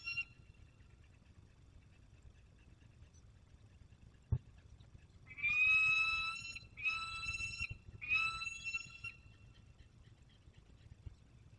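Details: Peregrine falcon returning from hunting in the Barycz Valley, Poland, on 27 August 2022; three drawn-out harsh wailing calls with a rising start, each about a second long, after a sharp knock.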